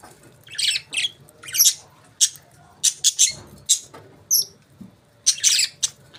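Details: Budgerigars chirping: short buzzy high bursts in irregular bunches, with brief sharper whistled notes between pauses.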